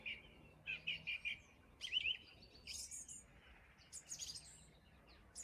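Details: Song thrush singing at dawn, a bird that began singing in January: a phrase of four similar short notes repeated at an even pace, then varied twittering and higher squeaky notes, fairly distant, with low rumbling background noise.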